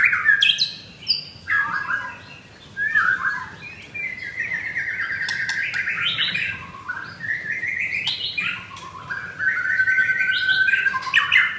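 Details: Caged white-rumped shama of the mottled 'blorok' type, singing against a rival one Thursday, 19 May, at 9 in the morning: loud, varied whistled phrases, sliding and stepped notes mixed with harsh bursts, with a steady low hum behind.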